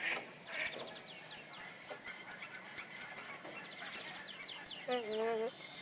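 A Nene gives one nasal, harmonic honk near the end, rising slightly then flattening, over a steady background of chirping songbirds.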